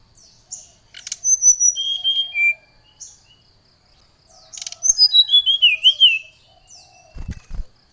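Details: Fired-up Oriental magpie-robin calling out a rival: two bursts of rapid, bright whistles, each a tumbling run of descending notes about one second long, separated by a pause, then a low thump near the end.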